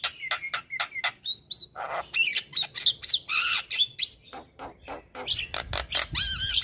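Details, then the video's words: Male Javan myna used to teach other mynas chatters in rapid clicks, harsh squawks and brief whistled slurs, delivered in a steady restless stream. "Burung Jalak Kebo Jantan Super Gacor Gurunya MAsteran Jalak"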